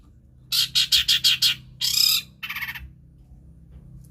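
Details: Long-tailed shrike copying various other birds' voices, played to coax silent birds into song: five quick harsh chirps, then a drawn-out scratchy screech and a shorter grating note before a brief pause.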